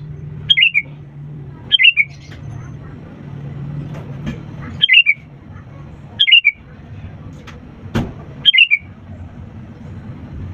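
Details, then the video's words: Sooty-headed bulbul singing loudly, used as a prompt to get lazy birds to sing: five short bubbly, fluty phrases of three or four notes, roughly every two seconds, over a steady low rumbling hum. "pancingan kutilang gacor untuk burung malas' bunyi"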